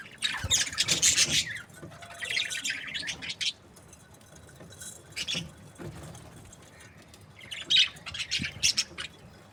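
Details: Budgerigars from breeding pairs, described as happy, give bursts of shrill chirps and squeaky warbling, separated by short quiet gaps, with a few isolated chirps between the louder runs.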